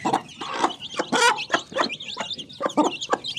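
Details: Rapid run of mini chicken clucks, short hoarse notes tumbling out several per second with one louder rasping squawk near the middle, over faint high bird chirps.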